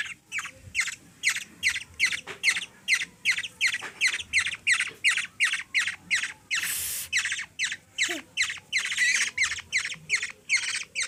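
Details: Harsh rasping squawks from a hungry black-naped oriole chick in the Philippines, fed by a three-year-old girl; calls repeat steadily almost three times a second, with one louder noisy burst midway.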